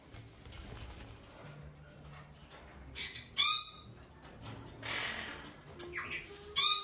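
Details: Female red-shouldered macaw, hand-raised from a chick and bred in Japan, in a quiet room: a few short, harsh, raspy squawks come at scattered moments, with mostly near-silence and faint rustling between them.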